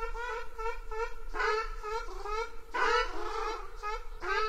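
Ruddy Shelduck giving a quick series of nasal, goose-like honks, with a few louder, drawn-out calls breaking in; a low steady hum runs underneath.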